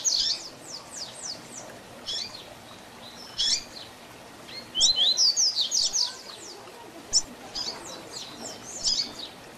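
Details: Tui Tui Zel Zel Diferenciado song of a double-collared seedeater, meant as a model for young birds to learn. High chirps and slurred notes come in scattered bursts, with a loud rapid whistled phrase mid-way.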